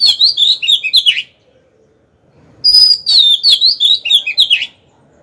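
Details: Oriental magpie-robin decoy bird singing in captivity to provoke rivals to fight; two bursts of fast, warbled and slurred whistles, each lasting over a second, with a quiet gap between them.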